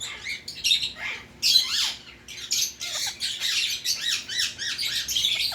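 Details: Indian ringneck parakeet kept as a pet, giving a rapid run of harsh, high squawks and screeches, overlapping and repeated several times a second in bursts throughout.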